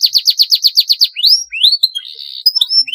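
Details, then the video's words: Long-rolling canary song used to tutor other canaries: a rhythmic high trill of about nine repeated notes, followed by rising whistled sweeps and a short buzzy stretch. "kenari GACOR panjang PANCINGAN MASTERAN masuk, SUARA kenari ngeroll panjang"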